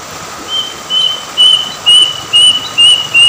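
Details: Plaintive cuckoo by a river in Indonesia giving a run of seven clear, high whistled notes about twice a second, sliding slightly lower through the series, over a steady background hum.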